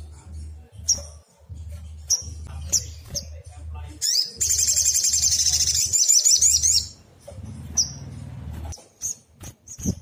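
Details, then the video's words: Sogon (black sunbird) in agitated lure song to make other birds answer: scattered high chips, a long very fast shrill trill of about two and a half seconds, then more isolated chips over a low hum. "Pancingan paling ampuh bikin SOGON apapun jadi nyaut nembak - PANCINGAN SOGON AGAR BUNYI"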